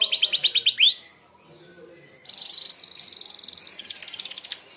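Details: Merlok canary song used for training other birds: a quick rattle of bright, rising notes ending in an upswept whistle, followed by a softer, rasping buzzy trill.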